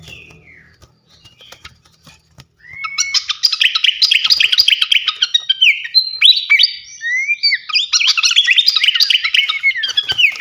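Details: Flycatcher known as srikatan kipas, a champion songbird used for training, starting with scattered faint ticks and then launching into a long, fast, jumbled twittering warble with sharp chirps and short whistles, continuing to the end.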